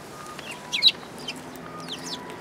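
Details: Sparrows coming to be fed on a shrine approach path on 4 February 2022; a short burst of high, sharp chirps near the middle, with faint quieter chirps around it.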